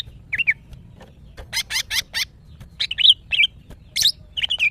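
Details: Breeding-condition female greater green leafbird calling to males: a brief whistle, a burst of harsh broad rasping notes, then clear looping whistled notes repeated in quick succession.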